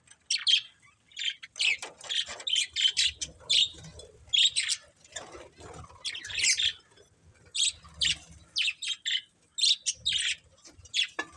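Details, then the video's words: Budgerigars at play chirping in short bright bursts, quick high twittering notes in clusters with brief pauses between them, steady and lively throughout. "Cute Budgies Chirping Sounds"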